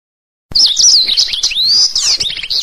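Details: Black-throated canary, recorded for training canaries, bursts into song after a brief silence: high, thin, warbling whistles running almost continuously, with a long drawn-out sweep and fast chattering notes.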